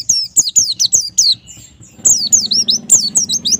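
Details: White-eye song used to coax a pleci into frequent singing: fast runs of high, slurred falling whistles, a short lull mid-way, then another dense burst over a low electrical hum.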